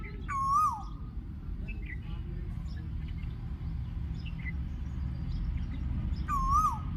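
An Asian koel gives two clear, mellow whistled calls about six seconds apart, each holding steady then dropping away. Faint chirps from other birds sit over a steady low rumble.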